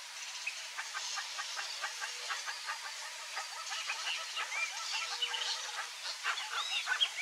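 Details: A wild Chaco chachalaca family group calling together: a dense run of harsh, raspy, rapidly repeated notes that overlap into a chattering chorus, swelling and growing louder toward the end, with thin whistled notes scattered above.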